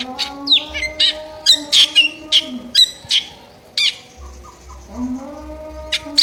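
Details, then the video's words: Drongo giving harsh, rasping calls, a series of short broadband bursts about every half second with brief pauses, over a steady low humming drone with faint overtones. "Sri Gunting Gacor Isian Suara Kasar"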